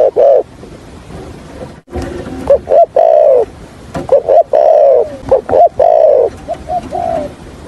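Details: Spotted dove decoy bird used for trapping, giving its call and stuttering coo in the thổ Hạp bổi voice style: deep hollow drawn-out coos linked by short clipped notes, repeated in several phrases.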